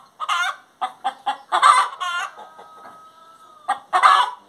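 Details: Hen singing with a quickening sequence of sharp clucks leading to hoarse, stretched squawks, then a pause with a faint steady tone before another loud squawk.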